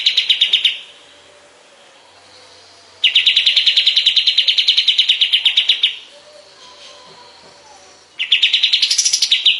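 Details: Kapas tembak bulbul, master recording for training other songbirds: three bursts of a rapid, dense, ringing trill separated by pauses of about two seconds, the last one ending higher.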